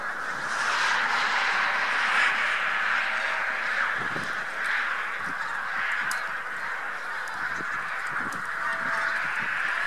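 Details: Bean Geese with a few White-fronted Geese passing on spring migration in central Poland, March 2018; massed honking from a huge flock, many overlapping nasal calls with a few clearer individual honks rising above the din.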